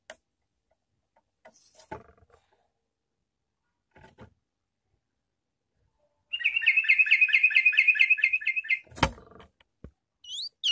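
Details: Lure recording for wild bulbuls: after scattered faint clicks, a Sooty-headed bulbul bursts into about two and a half seconds of rapid, regularly pulsed chatter, then a sharp knock and a rising whistled note.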